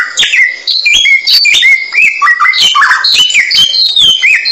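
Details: Samyong bird song recorded as a clear training track for songbirds: a rapid, varied run of loud whistled notes, some rising and some falling, with sharp chip notes in between.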